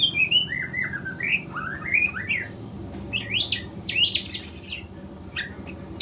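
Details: White-rumped shama, a young speckled bird practising its morning song: fluent rising and falling whistles in rapid phrases, climbing to higher, shriller notes before a short pause.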